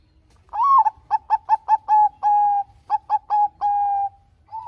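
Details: Zebra dove of the Bangkok type, singing for use as a lure to prompt other doves: a rising-falling first coo, a fast string of short notes, long even coos, and another short burst, repeated cleanly.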